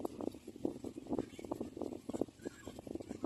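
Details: Little black cormorant standing still and vocalising, giving a continuous stream of fast, pulsed, throaty ticking croaks in uneven bursts.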